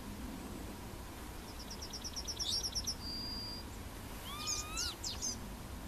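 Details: Yellowhammer, Emberiza citrinella, Plochocin, July 2013: a rattling series of short high notes fading into a sustained whistle, followed by a cluster of rising, looping harmonic calls from another caller.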